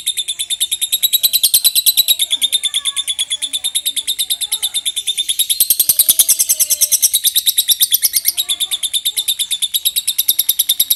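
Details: Lovebird holding a long ngekek, a continuous high buzzy chatter of fast regular pulses lasting the whole eleven seconds, swelling slightly midway.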